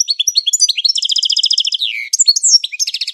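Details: European goldfinch singing its classic training song continuously, a fast unbroken tumble of high twitters, trills and sweeping liquid notes with a descending slur near the middle.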